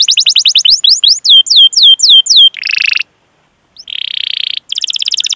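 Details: Canary song recorded as a lure to get young or stalled canaries singing: sweeping whistled notes in a rapid string, a buzzy rattle, a silent gap, then a harsh buzz and a fast trill.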